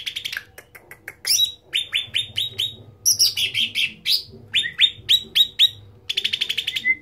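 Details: Cucak ranting (bulbul) delivering loud song: steady series of sharp downslurred chirps, sudden high upsweeps, and a closing rapid trill with a level whistle.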